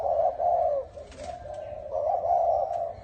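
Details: Bronze-bell style spotted dove cooing to rouse both sexes: two long, low, wavering coo phrases separated by a brief pause, with faint clicks and rustles between them.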